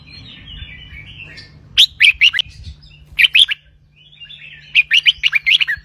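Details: Red-whiskered bulbul singing 'bern roi', the doubled song: quiet warbling builds into three bursts of bright, rapid whistled notes, the last a run of about six notes, over a low continuous hum.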